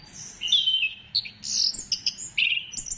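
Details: Orange-headed thrush lure song meant to spur singing: a dense, fast stream of high, sweet whistles and quick chirps, with frequent changes of pitch and few breaks.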